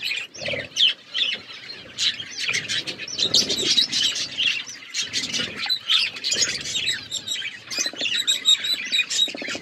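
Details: Budgerigars in an aviary, a dense flock chattering with rapid high chirps and warbled twitters overlapping continuously, occasional wing flutters and soft lower bursts between calls.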